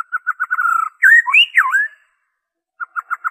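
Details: Original white-rumped shama song with no imitated phrases, used to stimulate caged birds into singing: a quick run of repeated whistled notes, then swooping rising and falling whistles, a gap, and more short repeated notes.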